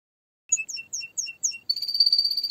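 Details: Canary singing: five clear downward-sweeping whistled notes paired with lower short tones, then a fast, buzzy, high trill.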